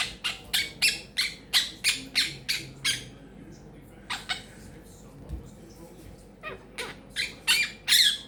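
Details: Little pet Quaker parrot chattering: a fast run of harsh, high squawks about three per second, a lull with a few scattered notes, then another burst of loud raspy squawks.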